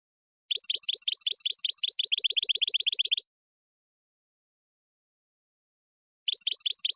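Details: Goldfinch betbeta twitter, European goldfinch, played to a caged royal goldfinch to start it singing: a rapid, regular burst of bright repeated chirps, a silent pause of about three seconds, then the chirping resumes.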